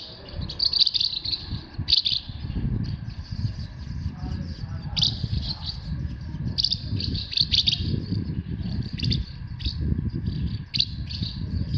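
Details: Asian house martins in Himeji, Hyogo, Japan, 4 May 2021, recorded with a COOLPIX W300: high twittering chirps in irregular bursts, some clustered, others single, throughout, over a constant low rumble.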